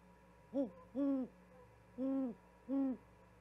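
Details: An owl arrives at a live-cam nest in Charlo, Montana, on 13 February 2022 carrying a vole and calls until its mate responds. It gives four low, mellow hoots: a short first note, then three longer, even ones about a second apart.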